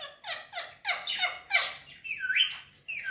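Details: Pet green Indian ringneck parakeet chattering in rapid speech-like syllables, about six clipped downward-sweeping notes in quick succession, then a rising and falling whistled phrase; small indoor room.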